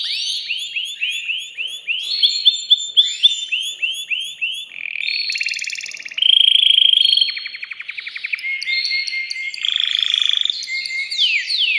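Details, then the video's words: Agitated caged male canary performing courtship song to excite a female for mating and teach young birds: a string of repeated arched whistles, then a loud high buzzing roll, rattling trills and final quick sweeps. "تغريد ذكر كناري هائج يريد تكسير القفص يحفز الأنثي لتزاوج"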